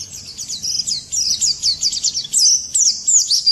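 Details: White-eye in the morning, delivering a fast, dense chatter of very high, thin chirps, around three notes a second, tumbling together into a continuous twittering warble.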